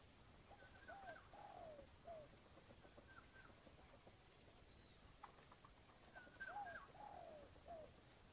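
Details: Red junglefowl in the wild, answering a decoy set to lure it into a fight. Two faint crows, each a brief upswept note, a long falling slur and a clipped ending, with soft higher chirps and low background noise.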